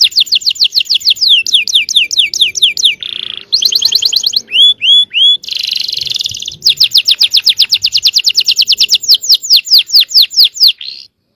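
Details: Canary song for provoking rival canaries: fast falling whistled notes, a buzzy rattle, three rising slurred whistles, a dense buzzy trill, then another long run of rapid repeated notes.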